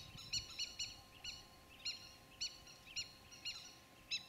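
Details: Indian thick-knee chicks in the nest on a small island in the Mekong River near Koh Preah, below Stung Treng, Cambodia, giving short, sharp, high peeps, about ten in four seconds at an uneven pace, over a faint steady hum.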